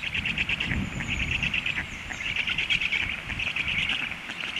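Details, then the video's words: Stork chicks calling out from hunger once the adult has left: fast, high-pitched, chattering begging notes that swell and fade in waves, over a gusty low background rumble. "storklets hungry"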